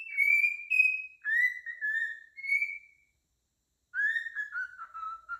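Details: On a morning, a cockatiel whistles clear, sliding phrases that drop slightly in pitch, with a brief pause between bursts.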